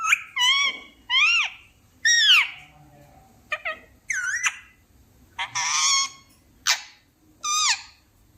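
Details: Talking parrot giving loud, harsh, nasal calls that arch up and down, about eight in a row with brief gaps between them.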